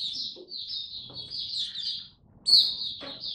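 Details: Song display of a kept Oriental white-eye, recorded 26 November 2022 after a light supplement dose: a sustained, high, reedy warble that breaks off briefly, then returns with a louder, sharp burst before running on.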